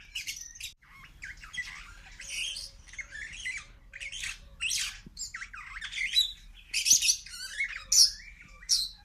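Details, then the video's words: A superb starling in a zoo aviary sings a long, rambling run of harsh chatters, squeaky whistles and buzzy notes, shifting constantly without a steady rhythm. The species is noisy, with a great variety of calls. "El canto del estornino soberbio"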